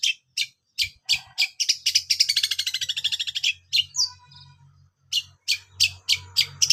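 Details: ['Long-tailed shrike: sharp chirps building into a fast rattling trill, a squeaky note, then further spaced sharp notes, over a faint low hum.']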